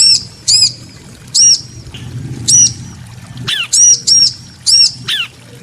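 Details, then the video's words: Bar-winged prinia pair, female and male answering one another: spaced sharp high chips, then quicker doubles mixed with descending slurred notes, over a low background hum. "Ciblek betina & Jantan saling nyaut"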